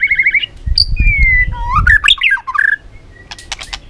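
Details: White-rumped shama singing many forest-style notes: rapid trilled chips, then a long falling whistle and varied rising and falling phrases, with low rumbling noise beneath and clicking at the end.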